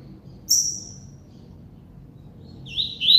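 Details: Double-collared seedeater singing: one sharp high descending note, a long pause, then the start of a warbled phrase of slurred notes near the end.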